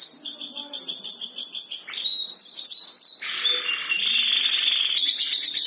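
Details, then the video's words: Powerful caged canary singing a kenari isian song: rapid repeated buzzy trills high in pitch, then sweeping whistled slurs and a long sustained rattling phrase, loud and continuous throughout. "powerfull canary || bukan sembarang gacor ngab"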